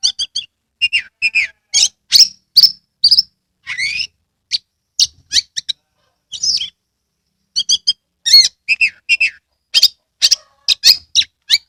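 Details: Singing Oriental magpie-robin, Kebumen, Central Java, tail opened, used as a lure to rouse lazy birds: quick bursts of high chirps, trills and whistled slurs, delivered in dense clusters with brief pauses throughout.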